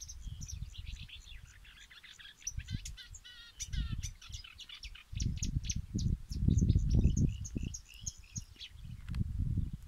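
A Marsh Warbler gives a fast, chattering song of varied high twitters, buzzes and mimicked notes, over heavy low wind rumble.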